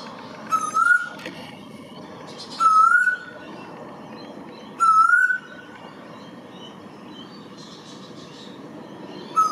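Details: A male Eastern Koel (Pacific Koel, "storm bird", Eudynamys orientalis) in NSW, Australia, gives loud, rising whistled 'koo-el' notes about every two seconds, over steady background hiss and faint chirps from other birds.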